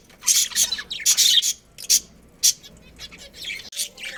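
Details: Budgies of a breeding colony giving short bright chirps and scratchy squawks in separate bursts about every half second, fewer birds calling at once, quiet gaps between.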